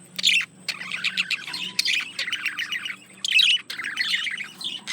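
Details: Budgerigar male courting a female: dense chattering warble mixing scratchy buzzes and sharp high chirps, nearly continuous with brief breaks, over a faint steady high tone.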